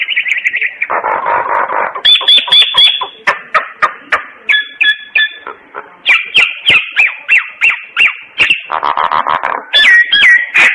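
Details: Morning singing by a common myna, a busy mix of buzzy trills, clicking chatter and repeated short whistled notes that rise and fall.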